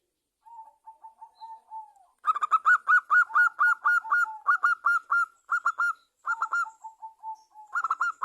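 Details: Local Javanese zebra dove (perkutut) singing vigorously, played as a lure to prompt other zebra doves to sing. Soft, evenly spaced cooing notes lead into a fast run of bright, bouncing hoots repeated in rolling phrases, with quieter coos between.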